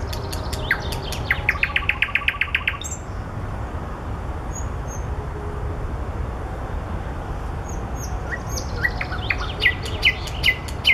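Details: Nightingale singing among flowers opens with a fast, even series of dry clicks, pauses with faint whistles, then resumes with a rapid run of bright chirps; steady low background noise throughout.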